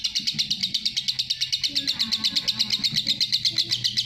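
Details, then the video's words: Lovebird in masteran ngekek, long chatter: shrill, rhythmic pulses repeating rapidly and evenly for four seconds, a dense high buzzing stream over faint low noise. "love bird masteran ngekek panjang"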